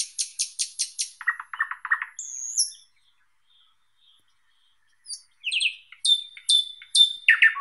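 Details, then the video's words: Song of the thrush nightingale: a rapid series of high, crackling notes, a lower rattling burst, and a short whistle, then a silent gap before emphatic, slurred notes repeated at a steady pace. "Как поёт Соловей обыкновенный (Luscinia luscinia)"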